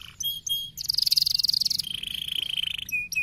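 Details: Canary stimulating song: a few clipped notes, then a very rapid bright trill that drops to a lower steady rattle, ending with short sharp chips.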